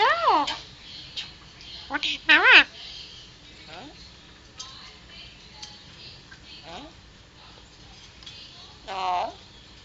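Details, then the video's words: Three-year-old male pet Alexandrine parakeet mimicking speech, a bird known to say "Hello" and "What ya doing": short harmonic, voice-like phrases with wavering pitch at the start, near two and a half seconds, and near the end, with quiet pauses between. "Talking Alexandrine Parrot"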